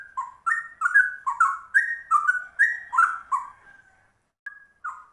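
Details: Rare trucuk bulbul with a straw-headed-bulbul-like ropel song: a fast burst of liquid whistled notes for about four seconds, a short silence, then two more isolated whistles.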